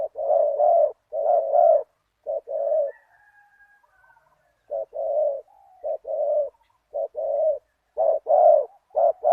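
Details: Deep-voiced spotted dove, a decoy luring a targeted wild bird, giving 'one kuk' coos: low paired hoots repeating about once a second, broken by a pause filled with faint thin whistles before the cooing resumes.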